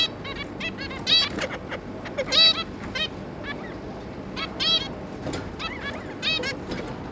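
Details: Zebra finches, an adult pair with three juveniles, recorded 11 May 2022, giving a busy run of short nasal beeping calls with stacked harmonics, some overlapping, about 48 a minute, over a steady low background hum.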